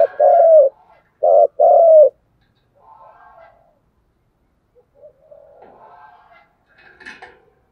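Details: ['Spotted dove cooing in thúc gù style, opening with a long coo and then a short-long pair of low mellow coos, followed by faint shuffling and distant soft sounds.']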